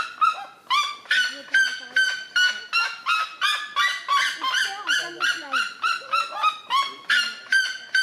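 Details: Red-legged seriema (Cariama cristata), territorial call: defending territory.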